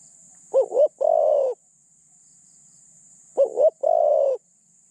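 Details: Spotted dove kept as a decoy to draw in wild doves, with a medium-pitched voice and light phrasing; two loud close phrases roughly three seconds apart, each a quick double hoot leading into a long, even coo.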